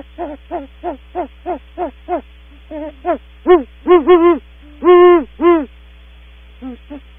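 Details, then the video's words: Great horned owls, female then male, vocalizing on leaving their nest cavity at Audubon Starr Ranch: evenly spaced short hoots, then louder, longer, drawn-out hoots, ending in two faint notes, with low electrical hum. "Female then male Great Horned Owl vocals when leaving cavity"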